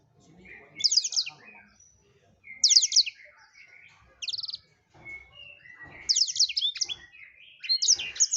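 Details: Black-throated Canary, kept as a song tutor bird, sings short, high, buzzy trilled phrases each under a second, repeated every one to two seconds, with faint background noise between them.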